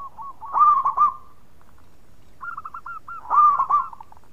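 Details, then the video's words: Local zebra dove in loud, lively song: two phrases of soft, rolling cooing trills at a low pitch. Each phrase starts with short purring notes and swells into a stronger warbled coo, with a pause between phrases. "Raja Suara Keras Perkutut Lokal Gacor"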